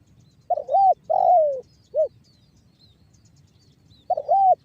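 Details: Banggo bocor style spotted dove call, used as a lure to get other doves calling: a two-part hoarse coo, a drawn-out downslurred note and a brief coo, then the phrase starts again.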